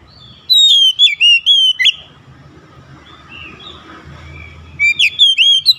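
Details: Oriental magpie-robin singing for stressed-bird recovery therapy: a loud string of ringing whistled notes, a noisy lull of about three seconds, then another rapid bright whistled burst.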